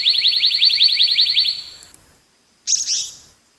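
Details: A black-naped monarch sends out a long, even series of rapid ringing notes lasting nearly two seconds, then after a short silence a single harsh, rasping call.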